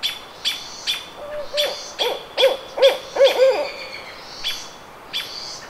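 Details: Barred owl at the Squamish River Estuary on May 17, 2014: a run of low, arched hoots from about 1.2 to 3.6 seconds, quickening in the middle. Small birds chirp high and sharply throughout.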